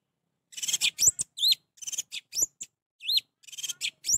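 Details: Varied song of an orange-headed thrush, played to stimulate a non-singing bird: short bursts of scratchy chatter mixed with looping, whistled slurs that rise and drop, in rapid phrases with brief pauses.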